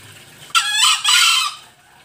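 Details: Green junglefowl lure call from Bali: one loud, harsh crow in two bursts, a short rasping opening followed by a longer hoarse second part, clear against a quiet background.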